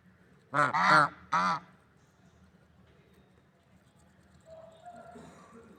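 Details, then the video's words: Swans in nature giving three loud, nasal, trumpet-like honks in quick succession, then near silence with faint background rustle and a soft distant call at the end. "Funny Sounds and Noises of Lovebird Swans in Nature"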